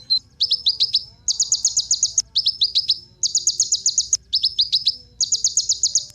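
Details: Ninja sunbird song meant to make other birds sing and to serve as tutoring material: alternating phrases of four or five fast descending high notes and longer buzzy trills, each about a second, with brief gaps.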